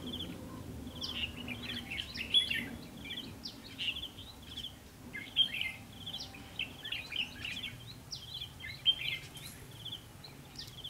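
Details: Red-whiskered bulbul song recorded at a trapping site on 21 October 2016: lively, sharply whistled phrases of several notes repeated steadily for about eleven seconds, with louder emphatic notes every few seconds.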